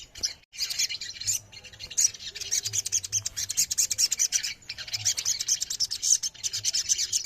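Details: Ruby-throated myzornis in a crowded massed chorus used as therapy to prompt caged birds to sing: dense, high, thin chirps and twitters overlapping almost continuously, with brief pauses, faint low hum beneath.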